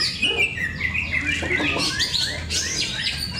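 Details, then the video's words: Greater green leafbirds at a singing competition in Cikeas, Monday 21 October 2024: bright chirping and whistled phrases sliding up and down, fast and overlapping from several birds, over a low steady hum. "Serunya pertarungan cocak ijo"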